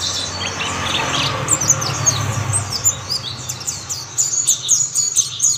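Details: Other mountain white-eyes chime in after one starts singing: high twittering builds from soft to clearer, with sharp falling chirps and short trills, over a low droning hum early on.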